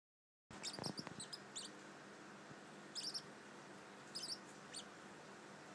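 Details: Pet Bourke's parrot twittering indoors shortly before falling asleep: clusters of short, high, sharp chirps near the start, around three seconds, and again just past four seconds, a few soft low thumps early on, steady quiet room hiss throughout.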